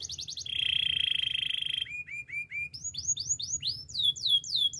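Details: Spanish timbrado canary singing for training: a short high note series, a long loud steady trill, soft low chirps, then rising swooping whistles that climb higher and grow faster.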